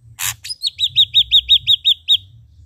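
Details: Ashy drongo with red eyes in lively song: a short harsh note, then a quick series of about eight clear, high, down-curving whistles delivered at a steady rhythm.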